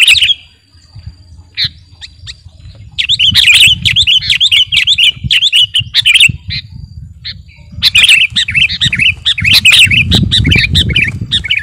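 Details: Sooty-headed bulbul singing vigorously, used as master song to lure or train birds: long runs of rapid bubbly chatter, with short pauses between bursts and a low rumbling background.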